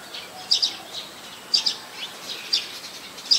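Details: Streak-eared bulbul recorded in Ubon Ratchathani, Thailand, on 4 February 2020: short, high, sharp chirps given singly or in quick pairs, roughly once per second, against a quiet background.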